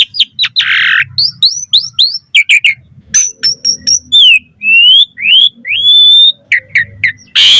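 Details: Asian pied starling song used as a lure to draw other starlings: loud varied sequence of whistled upslurs, sharp chirps, harsh rasping bursts and long steady whistles, packed with mimicked phrases and delivered rapidly.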